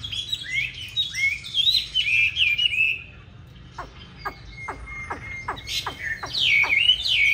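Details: Training song of a 'Lục Đậu'-eyed Chinese hwamei ('hót đấu'): rich rising and falling whistles, a pause, then sharp clicking downward strokes repeated, and loud looping whistles at the end.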